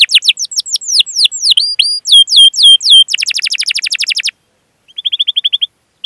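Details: Canary song used as a lure for training young birds: swooping whistled notes in quick sequence, a dense rapid roll of descending chips, a pause, then a short buzzy trill of repeated notes.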